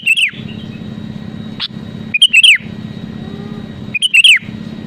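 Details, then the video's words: Sooty-headed bulbul delivering three quick, bright phrases of chirped notes with a falling final slur, about two seconds apart, sung to provoke rivals, over a continuous low hum and one faint click. "SUARA ASLI BURUNG KUTILANG GACOR PALING AMPUH MENEKAN LAWAN UNTUK BUNYI GACOR SEKETIKA"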